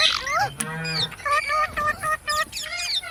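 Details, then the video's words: Talking parrot imitating human speech: a drawn-out voiced, buzzy syllable followed by short clipped whistled notes spaced about a third of a second apart. "Talking parrot video| Parrot sounds videos Compilation | mitthu mitthu | parrot voice"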